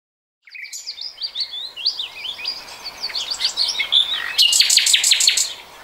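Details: Common nightingale singing in 2020: a busy run of varied chirps and quick whistled notes, ending in a loud burst of sharp, rapidly repeated broadband notes, with other birds chattering behind.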